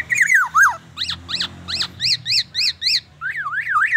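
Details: Black-naped oriole singing a mimicry song with murai batu and ambulance siren imitations: a loud sliding whistle, then rapid chevron-shaped whistled notes about four per second, ending in a wavering siren-like up-and-down whistle.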